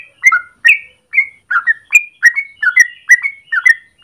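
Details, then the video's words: Trucukan, the yellow-vented bulbul, in morning ropel song for use as lure or master in training: spaced, gurgling two-part whistled notes, about two to three per second, clean with no other sounds. "Trucukan gacor ropel panjang pagi hari"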